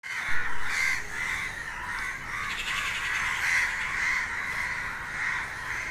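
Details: Crows crying restlessly at noon during an unexplained bird commotion. Harsh, overlapping caws run almost without a break. Faint higher chatter sits above them against a steady low rumble.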